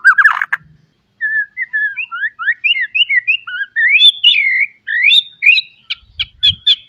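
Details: Song of a white-rumped shama, used to get young birds singing; a fast chain of short rising whistles climbing in pitch, ending with clipped sharp notes and faint low thumps.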